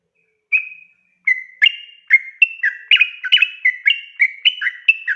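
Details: Sooty-headed bulbul in long 'ropel' song meant to draw answers from others: a single drawn whistle, a pause, then an accelerating series of crisp bubbling whistled notes.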